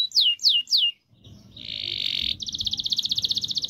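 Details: Canary song played to get silent canaries singing: three sharp downslurred whistles, a short gap, then a harsh buzzy note and a fast even trill.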